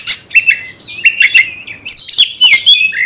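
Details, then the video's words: Oriental magpie-robin in full song intended to trigger fighting in rivals: quick, varied whistled notes and rasping chirps in close succession, with a few higher piercing whistles toward the end. "Kacer gacor bongkar emosi dalam hitungan detik dijamin Kacer langsung tarung ngotot"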